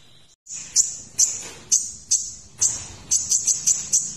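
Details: Kolibri ninja sunbird singing a tutoring song with a 'shooting' style: piercing high notes spaced irregularly, then a quick cluster of five clipped chips near the end.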